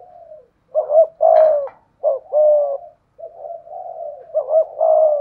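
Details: A decoy spotted dove with the thổ-style voice mixed with thúc gù cooing challenges a wild dove. Clear, mellow, mid-pitched coos come in phrases of two or three notes with short gaps, each ending in a drawn-out tone, in a quiet setting.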